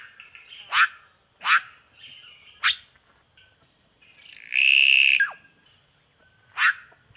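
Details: Red-rumped cacique calling: three sharp descending chacks, a loud buzzy rasping note with a level whistle over it, then a final chack.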